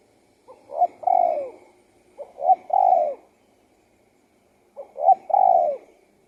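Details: Mellow song of a spotted dove: each phrase opens with two short rising notes and ends in a long coo that falls at the end, three phrases in quiet surroundings.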